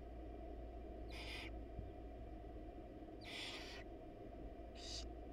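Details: Wild barn owl at a monitored nest box: the male drops off a rat while the mother is away. Three harsh, hissing screeches spaced about two seconds apart over a steady low background hum.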